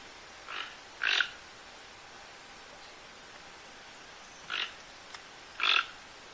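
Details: Toco toucan giving harsh, croaking calls: two short grating bursts near the start, then a long quiet gap, then two more, the last loudest, against a faint steady background hiss.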